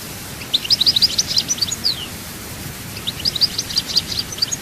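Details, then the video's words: European goldfinch song, Chaayba type, from Souk Ahras, Algeria: two phrases of rapid, high-pitched twittering and tinkling notes separated by a short gap, over a faint background hiss. "chant chardonneret souk ahras chaayba"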